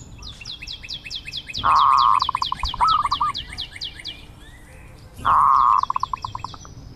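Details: Zebra dove coos with loud buzzy trills that break into pulses, plus one short rolling phrase, over a busy run of high downslurred notes from another bird.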